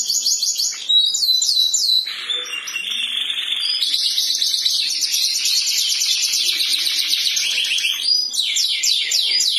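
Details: Morning canary song used as therapy to get canaries that stopped singing to begin again: quick rising chips, then a long dense rolling trill held for several seconds, ending in a run of repeated sweeping notes.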